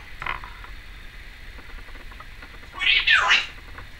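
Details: Female pet Timneh African grey parrot, filmed in 2012, makes a soft note early on, then, after a quiet stretch, a loud raspy squawk lasting about a second.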